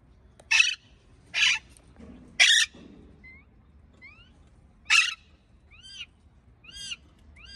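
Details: Happy parakeet with a string of rough, buzzy chirps, then thin, bent whistled notes rising and falling, repeated about once a second near the end.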